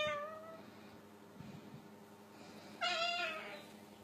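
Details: Cockatoo mimicking a cat, meowing at kittens indoors: two drawn-out, cat-like meows about half a second long, nearly three seconds apart, against a quiet background.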